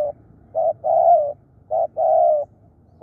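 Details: Spotted dove kept as a decoy bird, described as fierce and calling tirelessly: low hollow coos, each phrase a short note followed by a longer drawn-out coo, repeated about every second, with a faint low background hum.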